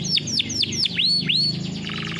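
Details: Canary singing a training song: four quick downward-swept whistled notes, then two long looping arched whistles, ending in a soft fast buzzy trill, over a low steady hum.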